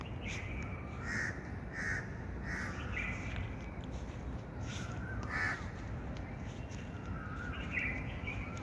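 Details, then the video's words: Birds calling outside with a quick series of rough, caw-like notes in the first half, then a louder call and a few later ones. A continuous low rumble sits underneath. "birds chirping sound"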